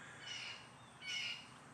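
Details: Blue jay in woods on an evening (25 July, around 5:50 p.m.) gives two harsh, raspy calls about a second apart over soft hiss; jays coming in to a tree, possibly signalling food available.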